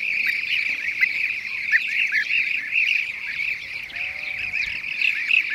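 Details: Several Blue-cheeked bee-eaters recorded in Şanlıurfa, Turkey, in 2016 keep up a steady stream of burry, rolling call notes that overlap without pause. Faint lower tones appear briefly in the background.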